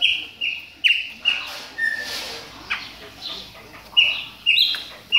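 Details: Captive Chopi blackbird warming up during moult: a series of short, loud whistled notes, some flat and some sharply downslurred, given in spaced bursts with brief pauses between them.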